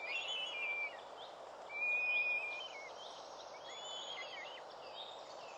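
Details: Northern goshawk at a New Forest nest near the end of the season, 11 June 2012, from which four young have fledged, giving thin, high whistled notes, two drawn out and level, among fainter twittering over a steady rushing background.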